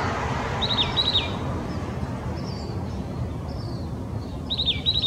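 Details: Oak titmouse in Old Torrance, Los Angeles County, California, January 21, 2020, giving rapid doubled bursts of high, buzzy chattering notes at the start and again at the end, with faint softer notes between and low city noise.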